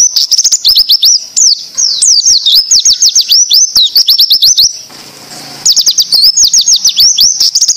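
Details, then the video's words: Oriental white-eye 'tembakan' style song for training other birds: rapid strings of high, sweeping whistled notes with clicks, broken by a pause of about a second before the fast bursts resume. "masteran pleci tembakan ziper coco bwt melatih pleci bahan ombyokan"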